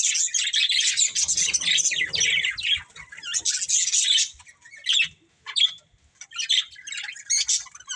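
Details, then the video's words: Budgerigars, a breeding pair with family, in a long dense burst of buzzy chatter, then shorter separated chirp clusters with brief silences between. "Beautiful Budgies Chirping Sounds"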